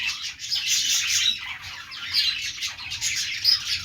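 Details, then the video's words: Pet parakeets warbling in a group: rasping chatter and squeaky high notes blend into a continuous babble, with a few thin whistles standing out. "budgies sounds | budgies singing | parakeet chirping sounds | Australian parrot sounds"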